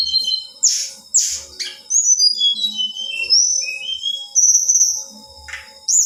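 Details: A female Black-winged flycatcher-shrike sings to excite males. Harsh high bursts open the phrase, then smooth whistles step down and rise again, with a faint low hum throughout.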